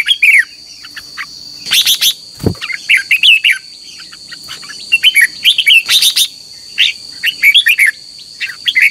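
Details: Red-whiskered bulbul singing in the morning, used as a lure recording to train birds and stir them into contest singing. Bursts of short, bright warbled phrases repeat through the clip, with one dull low thump and a steady high hum behind.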